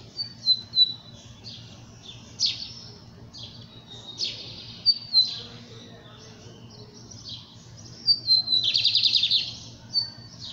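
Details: Lined seedeater singing the song style called verdin capiroto: high, thin whistled notes sliding down, mixed with short buzzy bursts, then a dense rattling trill near the end, with faint low hum beneath.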